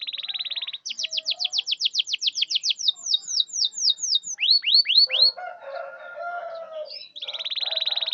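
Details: Canary song used as a lure to make stalled, lazy or silent canaries sing: a buzzy trill opens, then a rapid run of descending whistled sweeps, a few lower rising notes, and a closing high buzzy trill.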